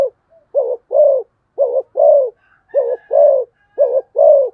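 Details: Spotted dove in fast cooing, short-long pairs of deep rounded coos repeated about every second, a soft high whistle behind.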